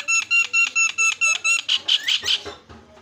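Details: Starling used as a lure to set other birds calling, giving evenly spaced harsh repeated notes, about three per second, then a few rougher buzzy squeals fading out.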